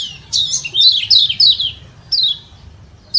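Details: Kecial kuning, the yellow white-eye of Lombok, calling 'ciak ciak' to goad other white-eyes into answering. Fast, slurred high chirps run together in a tight burst, followed by two isolated downward notes.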